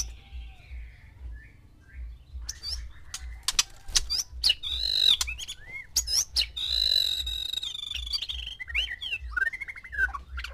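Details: Caged male white-rumped shama with six females, singing to arouse mating: sharp clicks and chattering notes, then long pure whistles and looping slurred phrases, with a regular low thumping beneath.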